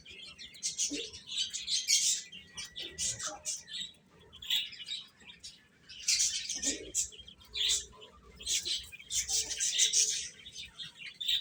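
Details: Little chicks chirping while they eat, waves of high overlapping peeps with brief quieter gaps and a few faint lower tones.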